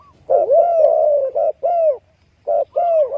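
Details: Spotted dove gives a long, rolling, wavering coo followed by short, separate hooked coo notes, each rising slightly and then falling, with a half-second silent gap near the end.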